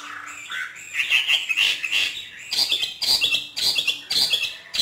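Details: Hwamei kept by a northern Vietnamese bird artisan, trained in the free-singing 'hót thả' style; rich, rapid phrases of high whistles and chattering notes tumble on without pause, loud and varied throughout.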